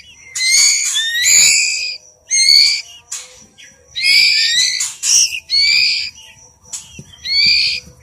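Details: Oriental magpie-robin chick being hand-fed, giving harsh, raspy high-pitched begging screeches in bursts about a second long, several in a row with short pauses, some faint background noise.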